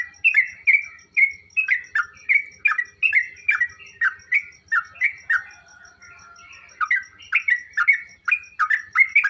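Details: Sooty-headed bulbul song used to get kept birds answering and singing busily. A run of quick, liquid chattering phrases breaks briefly around the middle for a thin drawn whistle, then resumes. Faint low thumps and high ticking are audible.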